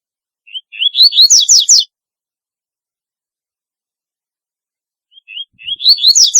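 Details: Double-collared seedeater singing distinctively. A lilting phrase of quick, high, rising whistles lasts just over a second, and another begins about four seconds later. The background is otherwise silent.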